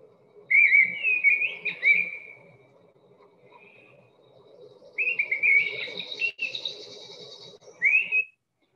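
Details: Mistle Thrush song: loud, strident, fluty phrases a second or so long, held at much the same pitch as if stuck in a groove, with pauses between them, over a faint low hum.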